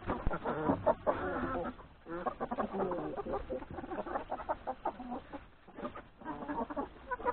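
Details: Chickens, hens and three roosters, eating breakfast in a yard ahead of grazing in the forest; continuous crowded clucking and squawking from the flock, rising and falling, with brief lulls.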